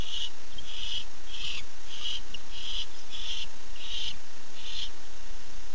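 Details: Male barn owl at 9:54 pm, 8 September 2015, calling for his mate: a fast, steady string of about ten short, rasping screech bursts with no long pauses.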